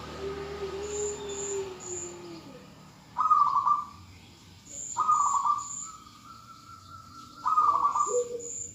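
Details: Calling female zebra dove: a soft, falling low coo, then three loud, buzzy trilled bursts, one joined to a long level whistled note, ending with a short low coo. Brief high chirps repeat in the distance.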